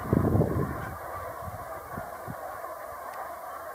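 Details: Brent geese; a burst of low honking and gabbling calls in the first half second, then scattered softer low calls against a steady background hiss.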